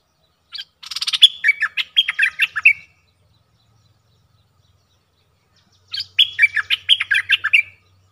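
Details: Two cheerful bursts from a streak-eared bulbul, each about two seconds of quick bubbling, warbled chirps stepping up and down, separated by a pause of roughly three seconds, with a soft low hum beneath.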